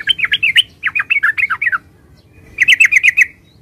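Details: Yellow-vented bulbul (Pycnonotus goiavier) singing bubbly, chattering runs of quick mid-pitched notes, two phrases back to back, a short pause, then another rapid burst; faint low rumble behind.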